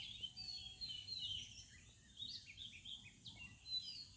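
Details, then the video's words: In a village at morning, several birds twitter with rapid, high, sharply rising and falling chirps packed closely together, over a soft constant low hum. "birds sound at morning/ Village birds sound"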